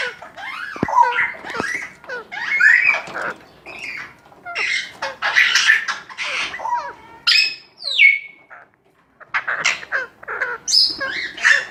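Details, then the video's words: Baby Alexandrine parakeet being cared for at a Sunday market in Lalukhet: harsh, rasping squawks and bent, wavering notes come in uneven bursts, with a short quiet gap near the middle and voices nearby. "Alexandrin parrot baby care"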